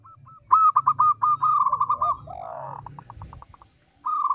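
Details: Local zebra dove with a small, clear, melodious voice, used as a lure: a fast string of clipped coos slowing into arched, falling slurs and fading pulses over a steady low hum, then a fresh run of coos begins.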